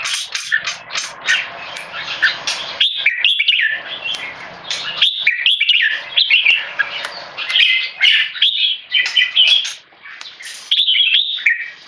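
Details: Red-whiskered bulbul, a tame Singapore-bred caged male, tested for how he handles being disturbed by people. Continuous scratchy keke chatter runs in rapid, uneven bursts with brief pauses, punctuated by faint clicks.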